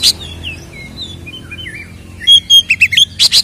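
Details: Oriental magpie-robin in ngeplong fighting song, used as a lure: soft warbled whistles lead into a loud burst of about six sharp ringing notes and harsh chips.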